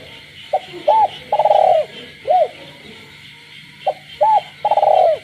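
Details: Spotted dove raised in captivity, cooing at night among the sounds of a village. Two phrases each pair a short note and an arched coo with a long trembling coo, and frogs call continuously.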